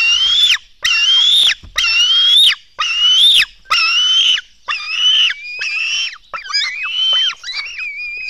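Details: Black stork chicks begging as they are fed at their nest in Latvia, early morning, 24 June 2016: a steady run of hoarse, whining squeals about a second apart that grow thinner and more broken, wavering and overlapping toward the end.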